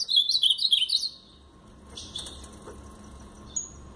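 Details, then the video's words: Brown-plumaged Blue-black grosbeak giving Paraná-style song: a rapid one-second burst of bright warbled whistles, then near quiet with a couple of faint chirps and a thin high note. "Azulão Paraná pardo"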